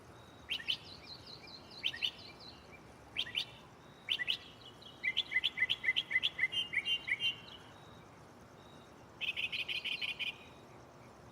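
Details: Mockingbird singing at night from a tree right beside the recorder, running through varied borrowed phrases: buzzy bursts, a rapid run of a dozen sharp chirps, and a fast trilled stutter, separated by short pauses, against low steady hiss.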